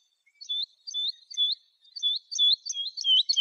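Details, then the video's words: Lark song for training young birds: clear, high, slurred whistled notes in short groups, delivered in an uneven rhythm and ending in a downward slide, with no background noise. "تغريد الولوال لتحفيظ الفراخ - chant d'alouette"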